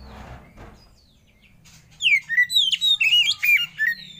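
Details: Oriental magpie-robin lure song for prompting other birds to sing: after a quiet start with faint murmurs, a loud run of varied whistled phrases with quick rising and falling slurs, about eight notes in two seconds.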